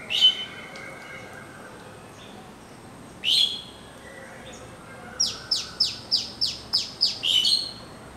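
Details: Asian pied starling calling: a few short, high squeaky chirps, then a quick series of about eight sharp, descending whistled notes, over steady background hiss.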